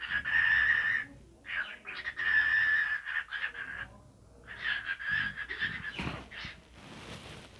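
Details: A cockatiel talking during a dance, with long raspy phrases carrying a thin whistled thread, pausing between bursts, then a scratchy clatter near the close.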